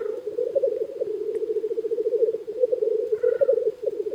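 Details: Chorus of many black grouse males at an early-spring lek beside a hide, their low gurgling, rapidly pulsed rookooing overlapping into a continuous drone, with faint higher notes near the end.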